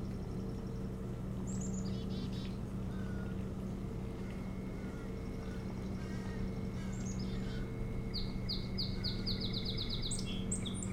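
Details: Osprey at a nest on Hog Island near Bremen, Maine, recorded by a nest camera on 25 July 2018: after scattered high chirps, a rapid run of sharp, descending whistled notes repeats near the end over a steady low hum.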